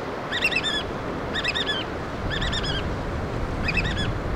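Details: Piping calls of black oystercatchers feeding chicks in Washington's Pacific Northwest: quick series of high, down-curving whistled notes, four bursts spaced about a second apart, against heavy low surf and wind noise.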